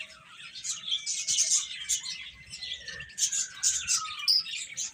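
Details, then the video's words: Baby chickens eating and playing, a jumble of thin high chirps rising in loudness, with a long faint tone gliding slowly downward across the clip and low background hum. "Baby Hen Chirping Sounds"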